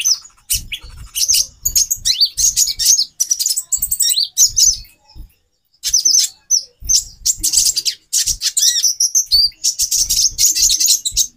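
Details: Female konin calling to arouse the male's mating drive. Rapid, very high, thin twittering chirps come in dense bursts with brief pauses, over soft low thumps.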